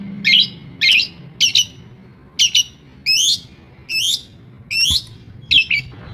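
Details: Long-tailed shrike imitating other birds, giving separate scratchy, twisting high notes at irregular intervals of about half a second.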